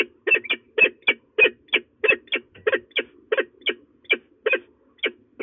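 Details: Threatening female peregrine falcon, De Mortel in the Netherlands, midday on 27 February 2024, giving a continuous run of hoarse, grating calls, often doubled, about three per second, with no other sounds.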